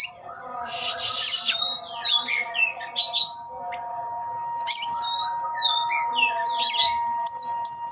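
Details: Displaying oriental magpie-robin with its tail spread, singing: a harsh scratchy burst opens, followed by varied rising and falling whistles in short bouts, with a constant faint tonal hum in the background.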